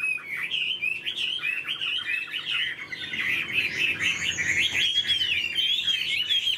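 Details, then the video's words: Caged, tame Chinese hwamei singing loudly: rapid rich warbling and whistled phrases, notes tumbling up and down several times a second, sustained throughout with higher thin whistles near the end. "Chim thuần sách lồng hót"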